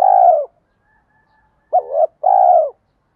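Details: Spotted dove lure call meant to provoke males: a drawn-out coo, a pause, then a quick rising note followed by a long steady buzzy coo.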